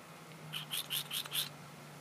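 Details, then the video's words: Sandhill crane, one of two wild birds that often visit, sneezing: five short, breathy bursts in rapid succession over about a second, with a steady low hum underneath. "Sand hill crane sneeze"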